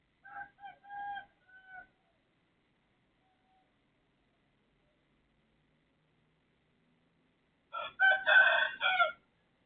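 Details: Neighbour's rooster crowing at 3:35 am on 18 December 2024 in Thailand: a short, softer crow in broken segments, then after a long silence a louder, harsher full crow lasting over a second, in a quiet night setting.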